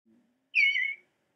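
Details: An Eastern Bluebird in Nashua, New Hampshire, gives a single soft, warbled whistle from its song, about half a second long and gently wavering, after a faint low hum.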